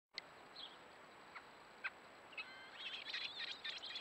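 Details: American robin nestlings, three lined up in a row, being fed insects by a parent at the nest; a few scattered thin chips, then a dense burst of high, squeaky begging calls in the last second and a half.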